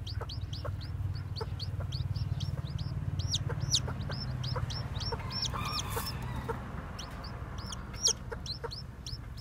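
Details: Newly hatched white, black-tailed bantam chicks peep steadily, high thin downward-bending cheeps tumbling over each other several times a second, with a low hum underneath.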